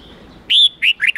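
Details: Red-whiskered bulbul song used to train young birds, 8-9-10 note style. A short run of three or four ringing whistled notes, the first one long and level, the rest shorter and dipping.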